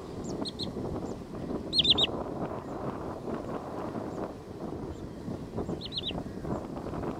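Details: Wood sandpiper recorded 27 April 2022 at Quinta do Lago lakes by Avenida Ayrton Senna, Loulé, Faro, Portugal: two clear bursts of three rapid, shrill whistled notes with a few fainter single notes, against a continuous low background roar.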